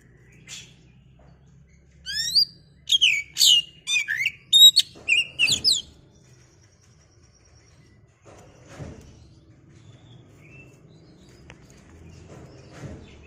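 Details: Oriental magpie-robin, a kept bird, delivering a rapid run of sweeping whistles, buzzy notes and sharp chirps for about four seconds, followed by quiet with faint low rumbles.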